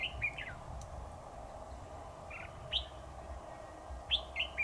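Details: Red-whiskered bulbul recorded during trapping on 7 October 2019: crisp, loud whistled notes in short bouncy phrases, one near the start, one in the middle and a rapid three-note burst at the end, over faint background hum.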